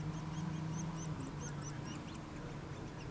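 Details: Nuttall's woodpecker chicks calling while being fed: rapid, high, squeaky arched notes about three per second, loud at first, then fading and thinning, with a low hum underneath.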